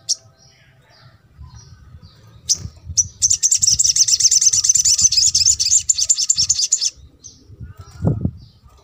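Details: Crimson sunbird, recorded to stimulate quiet birds into singing: a few thin high chips, then a rapid rattling high trill of about four seconds, ending in scattered notes and a low thump.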